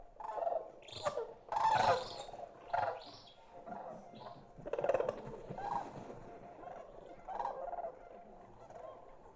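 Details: Greater sandhill crane chicks in Colorado's high country give rolling, slightly rattling, hoarse mid-pitched purrs in irregular bursts, about eight in nine seconds; chicks keep this call until spring, not getting the deeper voice for almost a year.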